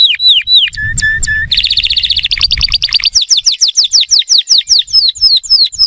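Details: Atlantic canary song played to teach young birds and stimulate males to sing: a few high down-slurred whistles, a flat steady note, then a fast buzzy trill breaking into rapid repeated sweeping notes.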